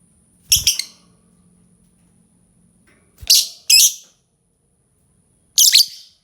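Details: Lovebird making scattered shrill, raspy calls: one burst, a pause of over two seconds, two quick harsh notes, then a final screech after another gap; a faint low hum in the background.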